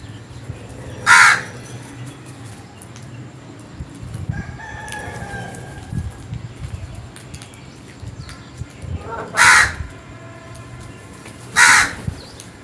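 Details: Crow calling in the morning: three loud, harsh caws spaced several seconds apart, each short and broadband, over a low background hum with faint distant bird notes between.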